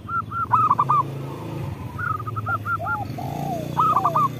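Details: Local zebra dove song meant to prompt other doves to sing: clipped, bubbling coo phrases repeated in short bursts, with softer, lower coos between them and a steady low hum underneath.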